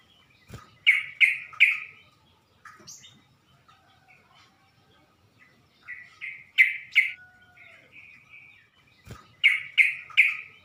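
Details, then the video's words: Sooty-headed bulbul used as bait to provoke other bulbuls: clear, slightly buzzy notes delivered in quick groups of three, repeated three times with quieter twitters between. "Burung trucuk manapun gak bakal diam kalo dengar pancingan ini"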